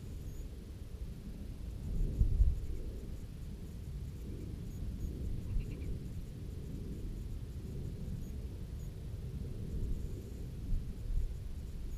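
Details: Only low wind rumble and handling noise are heard, with no clear animal voice.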